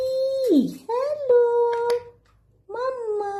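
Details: Indian ringneck parrot in a room, saying short, tonal voice-like phrases with rich overtones, one sliding downward into a rasp, separated by brief silences.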